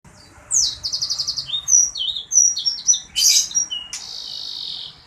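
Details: Sanger bird singing actively (gacor): sharp high whistles and a fast, evenly pulsed trill, then thin slurred notes, a brief harsh burst, and a sustained high buzzy note at the end.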